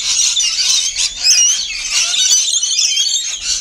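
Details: Shrill overlapping screeches and squeaky chatter from rainbow lorikeets at a feeding spot, continuous throughout.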